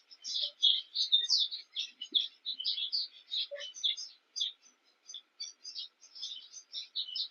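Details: At a King Protea, Cape weavers engaged in nest building keep up a rapid stream of short scratchy chirps and squeaky notes, overlapping voices chattering almost without pause.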